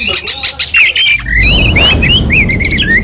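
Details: White-rumped shama provoked to aggression: harsh notes at first, then a run of quick zigzag whistled phrases over a low rumbling background noise.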